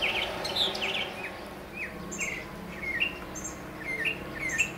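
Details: Atop a tall mesquite in central Arizona, a male northern mockingbird sings varied phrases: scratchy notes, then clear upslurred whistles spaced about half a second apart, with steady low noise beneath.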